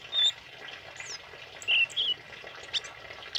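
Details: Tame male kemade singing: short high whistled notes and a brief warbled phrase, separated by pauses, over a steady rushing water-like background.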